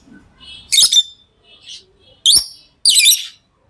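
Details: Pet lovebirds giving three loud, harsh, screechy chirps at uneven intervals, with faint softer chirps between them.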